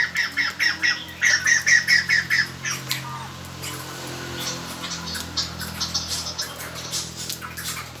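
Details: White-crested laughingthrush decoy song to lure wild birds: a fast run of sharp, evenly repeated chirps for about two seconds, then fainter scattered chatter over background hiss.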